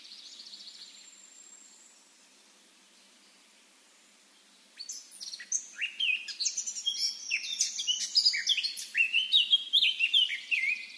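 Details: Eurasian blackcap, a wild bird: a soft thin note, several quiet seconds, then an energetic, chattering warble that rises into brighter fluted notes.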